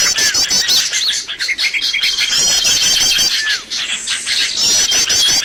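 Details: Lure calls meant to attract birds to traps: quick repeated high chirps and trills. A long flat whistle and a few down-slurred notes are heard, with brief softer moments.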